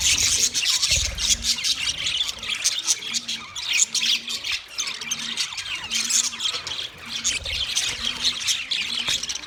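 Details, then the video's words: Mating chirps from white male budgerigars: nonstop gritty warbling and squeaky notes for nearly ten seconds, with a faint low hum that pulses on and off in short beats in the background. "White Males Budgies Chirping sound Parrots mating sound"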